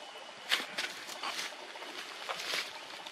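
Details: White-breasted woodswallow (Artamus leucorynchus) at Bamboo Flat, Port Blair, Andaman Islands, India, in March 2020, giving about six harsh, rasping notes at irregular half-second gaps over a steady hiss of wind or water.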